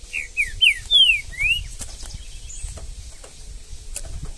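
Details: Out in the bush, a wild green-winged saltator gives five quick whistled notes, mostly descending slurs with a final rising one. Low rumbling background noise continues afterward.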